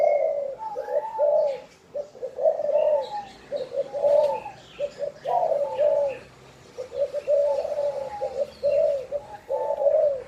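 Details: Spotted dove giving a prompting call, repeated phrases of soft low coos with a slightly higher overtone, each group lasting about a second, amid faint chirps of other birds and outdoor background.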